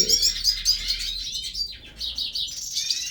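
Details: A short passage of hooded siskin song from a breeding aviary: high, rapid twitters and slurred whistles, thinning out briefly in the middle before the trilling returns.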